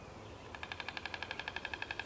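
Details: White stork at feeding time gives feeding calls: after a quiet half-second, a fast, even rattle of nasal, buzzy pulses, about eleven a second, over a soft outdoor hiss.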